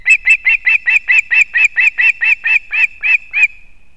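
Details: Loud osprey calling as a female brings fish to her chick at a nest in Kurzeme, Latvia, 31 August 2024: about fourteen clear, whistled chirps in an even rhythm over three and a half seconds, ending in a thin trailing tone.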